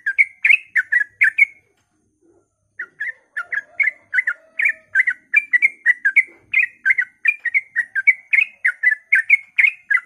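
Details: Sooty-headed bulbul singing fast 'ropel' song at dawn to prompt other bulbuls to sing; opening burst of chirps, a pause of about a second, then a lively unbroken run of whistled, slurred notes.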